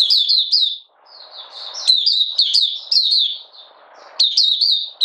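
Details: Malaysian Oriental white-eye hobby bird, out of form and in light moult, 31 July 2023, singing: high twittering phrases of rapid downslurred notes, one longer thin trill in between, with low soft rustling underneath.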